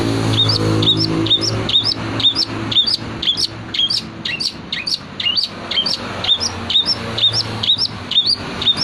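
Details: Long-tailed shrike singing with imitations of prenjak and tengkek calls: rapid high chirps with short upslurred notes, about two per second, continuing steadily.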